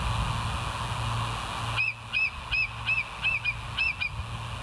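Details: Bald eagle at the West End nest, recorded by a live nest camera on 19 July 2023 around 05:03: a series of six high, thin, squeaky chattering notes after a steady background hum.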